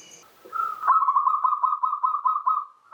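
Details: Local zebra dove, opening phrase of its song: a single long, evenly pulsed trill of rapid staccato coo notes on one pitch, lasting about two seconds.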